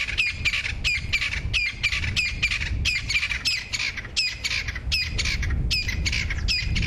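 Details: Crested francolins beside a road at sunrise, part of the dawn chorus, call loudly in a harsh, rattling chatter of strident notes, repeated rapidly and overlapping, while a safari vehicle's engine rumbles underneath.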